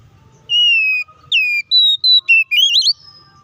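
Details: Oriental magpie-robin in fighting song, used as a lure to provoke other birds into agitation: clear whistled notes, a long slightly falling tone, then short bright slurred whistles and a quick warbled flourish, over near silence.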